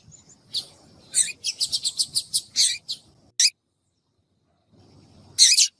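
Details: Female Double-collared seedeater (coleiro) calling, used to rouse males of the tui tui song style into singing; a quick run of short, sharp, high chips, about eight in close succession, then a lone chip and a final burst after a pause.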